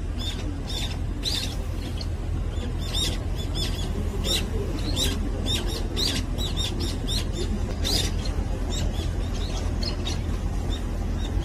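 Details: Brown-eared bulbul at breakfast (morning feeding), giving short sharp high chirps in irregular bursts, about one or two a second, over a steady low rumble of wind or distant traffic.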